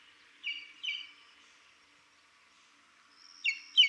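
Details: Buff-crested bustard (Lophotis gindiana) calling in Buffalo Springs National Reserve, Samburu, Kenya: short, sharp, slightly falling whistled notes given in close pairs, one pair early and another after a long pause, over faint background hiss.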